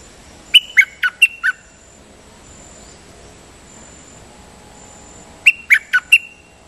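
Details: Dok taeng bird giving decoy song, called 'siang to' in Thai. A fast phrase of four to five clipped whistled notes is followed by a long pause, then the same phrase repeats, over a faint high hiss.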